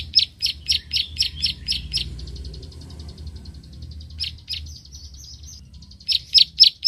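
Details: A paddy-field prinia gives sharp, high "klik-klik" clicking notes, about four per second, in bursts separated by a softer trill, over a low background rumble.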